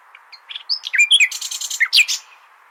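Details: Common nightingale singing, recorded to teach goldfinches: a busy tumble of slurred chirps, whistles and buzzy notes over about two seconds.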